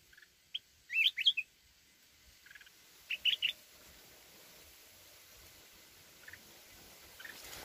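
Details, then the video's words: Mountain red-whiskered bulbul singing wild 'forest voice' phrases to stir up a decoy bird: a lively burst of rising and falling whistles, a softer reply a couple of seconds later, then faint distant notes. "chào mào núi@ hót giọng rừng kích bổi"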